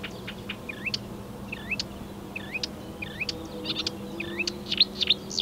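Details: Marsh warbler mimicking other European and African birds, 15 May 2020: a looping twanged note repeated about every second among sharp ticks, then a quicker burst of high whistles and clicks at the end; steady low hum underneath.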